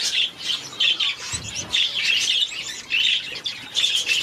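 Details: Hand-fed day-old Society finch baby: loud high-pitched begging chirps in rapid bursts, with a soft low bump of handling midway.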